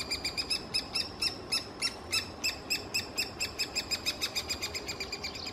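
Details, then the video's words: Three-toed woodpecker young calling almost all day from a tree hollow in a Yekaterinburg forest park, asking for food: high, piercing, harmonic squeaks repeated about three to four per second in an uneven stream. "Птенцы ТРЕБУЮТ ЕДУ, Трехпалый дятел"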